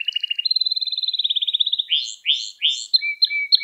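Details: Canary singing for training young canaries, with a long rapid trill stepping up in pitch, followed by rising buzzy slurs and a thin sustained whistle.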